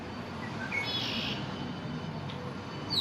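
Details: An immature male red-winged blackbird in his first spring, visiting a downtown backyard near a pond on the morning of May 1, 2024, gives soft introductory notes, then a buzzy, rattling trill to defend territory, over traffic rumble.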